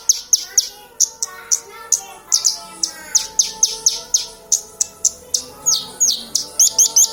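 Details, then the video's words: Black-winged myna in lively song, firing off rapid high, sharp chirps and whistles almost continuously, several notes per second, over a faint low hum. "Branjagan gacor"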